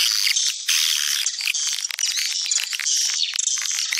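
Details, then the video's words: Many swiftlets give dense, overlapping high chirps and buzzy twitters that run without pause, rising and falling in quick bursts; a swiftlet calling sound popular in Sumatra. "Suara panggil walet"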